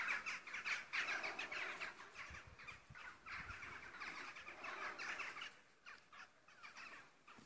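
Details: Crows calling in cloudy weather: a dense run of harsh, rasping caws overlapping in quick succession, several birds at once, loudest early and thinning toward the end, over a faint low outdoor rumble.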